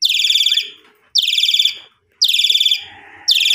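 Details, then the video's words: {'caption': 'Kept Asian pied starling lure for renewed singing after a holiday: three loud grating, pulsed bursts spaced about a second apart, with a faint rising whistle after the first.'} "Pancingan Jalak Suren Abis Mudik Lebaran"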